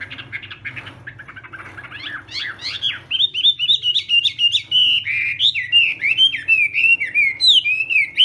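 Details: Chinese hwamei in contest singing during morning voice training: soft, mixed warbling notes at first, then loud, rapid, varied whistled phrases with rising and falling slurs, repeated several times per second, over a low steady hum.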